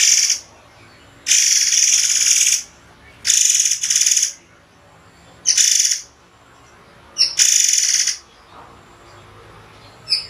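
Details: White-rumped shama delivering sharp 'shot' phrases with pauses: five harsh, dense, high bursts, each lasting up to about a second, separated by silent gaps of one to two seconds.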